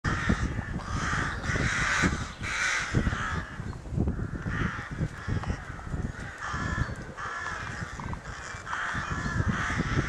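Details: Crows at a rookery in May 2018, calling excitedly around their nest: a dense chorus of harsh, overlapping caws in bursts every second or so, several birds together, over steady low rumbling background noise.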